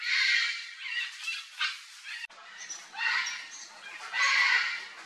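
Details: A free-living red-and-green (green-winged) macaw, Ara chloropterus, feeding on a ripe mango, apparently in Brazil, gives harsh, raucous squawks, about four loud rasping bursts over five seconds, with quieter grating notes between.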